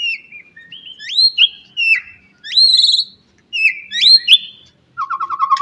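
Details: White-rumped shama singing in the morning to stimulate other shamas: varied upslurred and looping whistles in separate phrases, ending with a fast, lower rattling trill.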